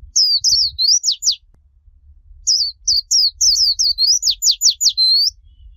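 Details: Japanese white-eye song in the líu chòe style, used to train young white-eyes: an opening burst of thin twisting notes, about a second of quiet, then a long, rapid string of high slurred whistles and quick downward sweeps.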